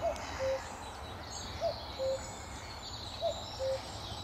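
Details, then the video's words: At Amwell Nature Reserve on a sunny May 2014 morning, a common cuckoo repeats its falling two-note cu-coo three times, roughly every 1.6 seconds, with faint high warbling from other birds and steady outdoor hiss. "Cuckoo at Amwell Nature Reserve - May 2014"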